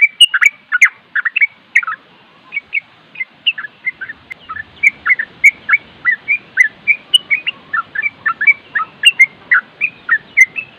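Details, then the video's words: Trucuk (Yellow-vented Bulbul) singing continuously in nropel style: a loud opening burst of bubbly whistles, then a steady stream of short slurred chirps at a brisk, slightly irregular pace. "Masteran trucuk nropel dan suara angin bikin trucuk setres nyaut"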